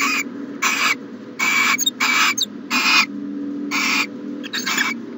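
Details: Owl at a nest box in the morning: harsh, breathy hissing bursts repeated irregularly, about seven in five seconds, over a steady low electrical hum.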